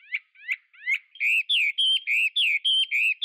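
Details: Chinese hwamei song opening with three rising slurred whistles, then a fast series of loud, clear, sustained whistled notes alternating in pitch, about three per second.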